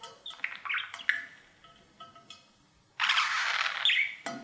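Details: Pet male budgerigar singing to his mirror: soft scattered chirps and short whistles at first, then a sudden loud, harsh, scratchy burst of chatter.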